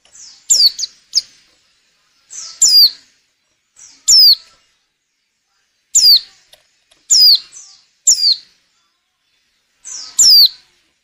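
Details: Female white-eye in breeding condition, calling to stir males into singing, used as a lure for trapping: sharp, very high thin notes sweeping downward, given singly or in quick pairs at irregular gaps of about one to two seconds.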